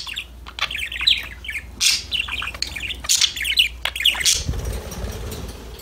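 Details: Parakeets chirping and warbling in quick, bubbling phrases of high squeaky notes for about four seconds, after which the chatter fades and a low rumbling noise takes over.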